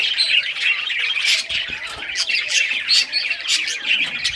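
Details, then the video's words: Rare-coloured budgerigars at play with toys, June 18, 2023, producing a constant scratchy chatter of high chirps and harsh squawky notes from several birds together. "Budgies all rare colors playing and chirping sounds playing with toys"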